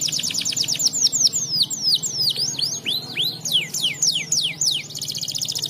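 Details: Canary song used as a tutor recording for training young birds: a continuous series of high, sweeping whistled notes dropping in pitch, delivered rapidly in rolling phrases, ending in a fast trill, over a steady low hum.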